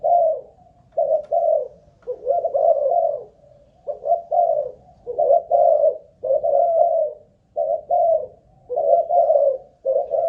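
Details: Malaysian-line spotted dove, a caged decoy bird checked for lasting cooing, repeats mellow low coo groups nearly nonstop for ten seconds, paired notes and longer rolling coos, in a quiet room.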